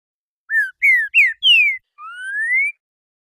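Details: Trinca-ferro (green-winged saltator) delivering its renegado-style classic song of four notes and a 'boi': four brief descending whistles, the last pitched highest, followed by one drawn-out upward-sliding whistle, against silence.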